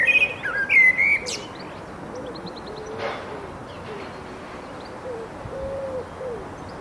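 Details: Garden songbird at Bedhampton Railway Station opening with a few loud, sharp, high whistled notes, then fading to faint distant chirps over a steady low rumble.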